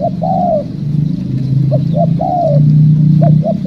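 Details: Spotted dove calling while trapping is under way: a long falling coo, then two short notes and another long descending coo, ending with short notes, set against a loud low-pitched hum.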